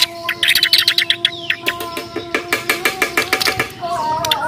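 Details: Bornean white-rumped shama fighting: a rapid, rhythmic rattle of harsh clipped notes, about four per second, ending in a softer warble, with constant droning tones behind.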